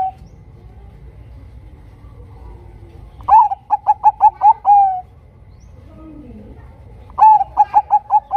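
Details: Lure song of a Bangkok-strain zebra dove, used to draw other zebra doves into song: after a quiet start, a burst of short rapid coos ends in one long coo, a soft low sweep follows, then another fast coo run.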